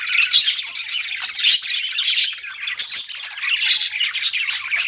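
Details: Busy budgerigar chatter: quick twittering chirps, short clear whistles and harsh squawks run together in a lively, nonstop babble.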